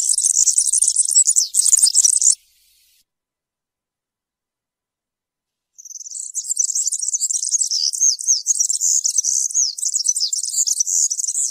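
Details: Campero-style European serin song: a rapid, glittering, buzzy jingle lasting over two seconds, silence, then a long unbroken stream of the same high, wiry trilling notes.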